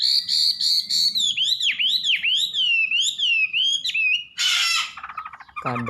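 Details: Wambi song: a long high whistle, then repeated swooping notes that dip and rise, a harsh noisy burst, and a quick descending rattle.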